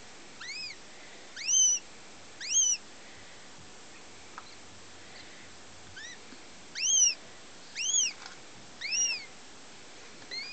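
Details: First-hatched young female goshawk (German x Finnish), 2009, giving thin, high, arched wailing squeals, often in quick pairs, about once a second over a quiet background hiss.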